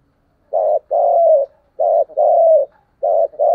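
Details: Decoy spotted dove at dawn, used to train pet birds to call along: three pairs of low, husky coos, each pair a short note then a longer one. The pairs repeat about every 1.2 seconds against a quiet background.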